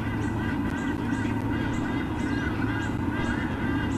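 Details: White-bellied sea eagle at a nest in Olympic Park, Sydney, Australia, on 13 October 2014, giving loud, goose-like honking squonks in a steady repeated run during a visit, over a constant low background rumble.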